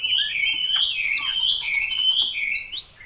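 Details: Chinese hwamei, locally termed 'mộc dở', delivering a loud, continuous warbled whistle that wavers up and down in long smooth slurs, ending with a short upward flourish before fading.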